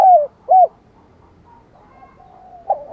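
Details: Spotted dove used as a decoy, cooing in the morning to call in wild doves: two short arched mellow coos at the start, a quiet gap with faint distant notes, then one more coo begins at the end.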